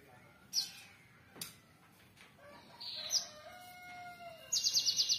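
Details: Java sparrow gives high, thin chirps, then a quick run of five or six clipped notes at the end, with a faint, lower drawn-out call behind.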